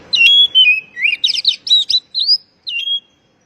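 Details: Oriental magpie-robin call for coaxing a stressed, silent bird back into song; a loud run of clear whistles, falling slurs and rapid rising-and-falling notes, ending with a short drawn-out whistle.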